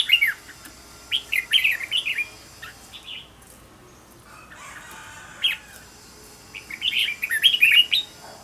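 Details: Red-whiskered bulbul singing as a training model: a lively warbled phrase at the start, a long quiet gap with a soft rushing noise, then another bright run of whistled notes near the end.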